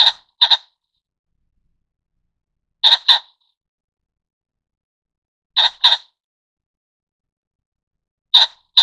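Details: Taiwan ring-necked pheasant (Phasianus colchicus formosanus) giving loud, harsh double notes, a grating 'kok-kok' repeated about every three seconds, with silence between.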